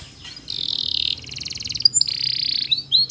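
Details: Canary training song of sustained buzzy trills broken by sharp bright chips. Phrases switch quickly over a faint low background hum.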